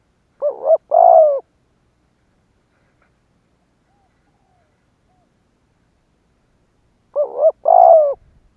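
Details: Spotted dove cooing as a lure to draw in and provoke rival doves: two separate mellow phrases about six seconds apart, each two short coos then a longer, louder falling coo, with silence between.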